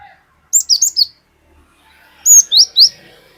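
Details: Cinereous tit, untrained and singing actively, used as lure audio for other birds, with long 'wucit wucit' strings. Two loud runs of three or four bright high whistles, slurred and rising, separated by a short gap.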